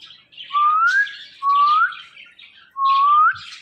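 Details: Talking ringneck parrot kept as a pet, giving three loud, clear, rising whistled phrases, each about half a second long and spaced roughly a second apart, in a quiet room.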